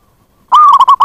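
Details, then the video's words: Calling zebra dove, recorded as a lure for wild birds: a clear whistled phrase starts after a pause and runs into several quick, evenly pitched staccato notes, cut off mid-phrase. "Pancingan bunyi + pemanggil perkutut liar"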